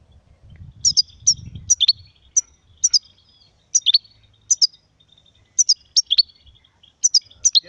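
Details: European goldfinch singing in short separated bursts of high tinkling, twittering notes with pauses between phrases; faint low rumble underneath.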